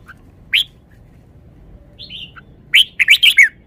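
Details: A red-whiskered bulbul in a cage shows its song phrases: one sharp upslurred note, a pause, a soft descending whistle, then a loud cluster of four or five rich, bubbling notes.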